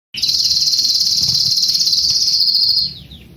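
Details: Young Belgian canary singing loudly: a sustained, fast buzzy trill held high and steady for nearly three seconds, rapidly pulsed like a rolling tour, then fading at the end.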